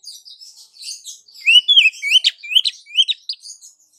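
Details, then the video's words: A female Oriental magpie-robin calls the male with soft twitters that build into loud, rapid rising whistles and sharp clicks at roughly three per second, tapering off at the end. "SUARA KACER BETINA MEMANGGIL KACER JANTAN"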